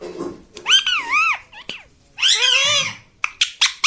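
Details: Indoor pet Indian ringneck parakeet talking in two drawn-out, wavering, nasal phrases, each rising and falling like spoken syllables, followed by a few sharp clicks.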